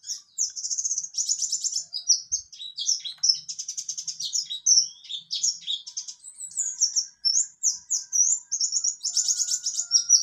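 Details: Mountain white-eye (buxtoni) singing in the 'ngalas nembak' style: a fast, continuous high twittering of sharp chirps, trills and whistled slurs, with denser rattling bursts near the start and end.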